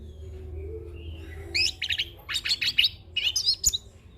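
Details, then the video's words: Young orange-headed thrush in rolling ngeroll song full of fill-in phrases, recorded for training and luring birds: after a quiet start with low hum, bursts of quick, high, varied chirps and short trilled notes follow in close succession. "Anis Kembang Ngeroll Full isian - Masteran dan Pancingan Burung Anis Kembang Muda"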